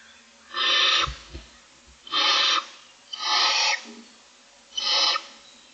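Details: Six barn owl owlets begging for food in their nest box in the morning: four long harsh rasping hisses spaced one to two seconds apart, with low soft thumps between them.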